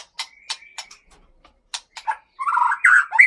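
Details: Caged white-rumped shama from the Gunung Leuser region of Aceh, Sumatra, kept in a breeding cage: a run of sharp dry clicks, a pause, then rich warbled whistles and fluty notes at the close.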